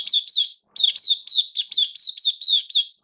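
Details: Caged oriental white-eye in open song, dated 11 September 2022, in form that dipped a little: rapid, high, sweet warbled notes in quick wavering slurs, delivered in a steady run of about eleven phrases after a brief pause.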